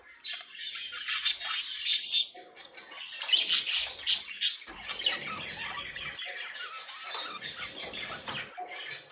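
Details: Budgerigars kept as pets, happy and playing, squawk and chirp in rough, buzzy bursts, loudest in the first half, then keep up a softer continuous warbling chatter.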